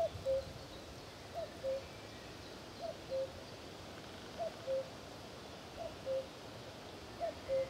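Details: In sub-Saharan Africa, a Common Cuckoo, a nest parasite that spends time in Africa, gives its falling two-note 'cuck-oo' six times at a steady pace of about one pair every one and a half seconds, over a soft background hiss.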